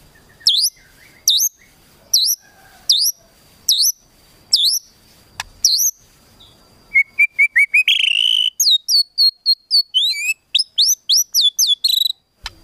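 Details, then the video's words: White-rumped shama song meant to provoke a rival's emotion: loud whistled notes sweeping down then up, repeated about every 0.6 seconds, then a rapid run of sharp chattering and chirping phrases with a steady high tone in the background. "KRETEKAN TEMBAKAN MURAI BATU MEMANCING EMOSI"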